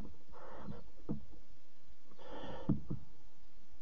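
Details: Barn owl at a nest box at 03:00 on 26 July 2017, the mother arriving with a bird as prey for the fourth chick; two rough, breathy hissing bursts, each about half a second, with soft rustling and knocks in between.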